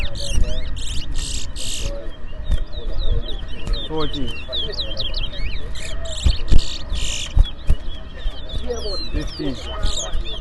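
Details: Two caged Lesser Seed Finches (towa towa) compete in a singing bird race in Berbice, Guyana. Bright whistled slurred notes repeat throughout, with a low rumble of people talking, counting and music underneath.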